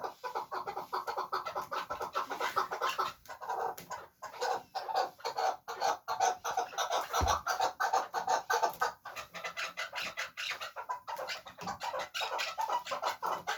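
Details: Chukar partridge kept as a fighting bird, calling in a long, dense run of raspy chuck notes that barely pause, steady and insistent throughout.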